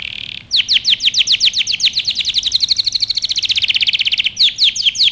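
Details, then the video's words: Training song of a canary for young birds: after a brief buzz, a steady rapid series of falling whistled notes quickens into a dense rolling trill, followed by a few slower sweeps. "Canary Singing | Melodies Canary Bird Song | Training Video"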